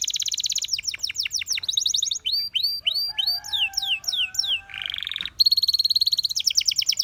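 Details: Canary song used for training, alternating fast high trills, sweeping downslurred whistles, a low buzzy phrase and a harsh burst before a final rapid rattle.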